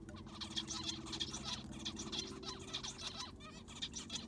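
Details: Several caged zebra finches in an aviary during cleaning with fresh sand; dense, overlapping short nasal chirps, several per second, over a steady low mechanical hum.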